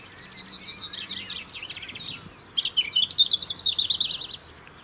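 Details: UK European robin, a bird that sings all year to hold a winter territory: jumbled high twittering gives way to a rapid, rhythmic run of bright pulsed notes, loud and steady in the second half.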